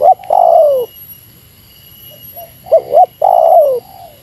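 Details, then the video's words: Rival-challenging spotted dove in Meratus style, a long coo sliding downward, a quiet gap with soft murmurs, then two short rising coos and another long descending purr. "Suara Burung Tekukur Meratus Lawan"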